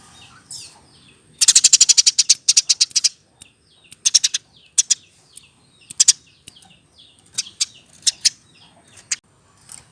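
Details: Eurasian tree sparrow reared by hand, aged over a year, caged; one rapid run of sharp high chirps, then sparser, scattered single and paired chirps with softer, quieter notes in between.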